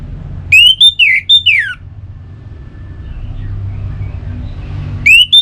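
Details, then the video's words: Orange-headed thrush song played to trigger singing in kept birds: a phrase of rich whistles, rising then falling in steep slurs, followed by a long pause and the start of the next phrase, over a soft rumble. "Suara Burung ANIS MERAH"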